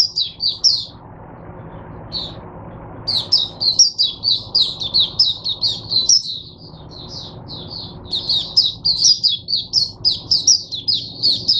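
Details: Oriental white-eye in a cage, singing on 22 January 2022 as a teacher bird for other white-eyes. Rapid, high, twittering warble of sweet chirped notes, delivered in long continuous runs with one short pause, over faint low rumble.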